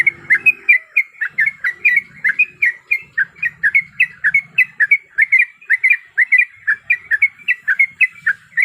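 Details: Sooty-headed bulbul female in breeding condition calling for a male, delivering a steady run of quick, squeaky, slightly rising chirps in close succession over a faint low rumble.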